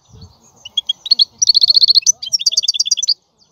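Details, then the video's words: European goldfinch in full song: rapid, high, tinkling twitters build into a fast run of repeated chirps, followed by a second descending series of bright notes, with no other sounds. "لا يمكنك ان تسمع اقوى من غناء هذا الحسون"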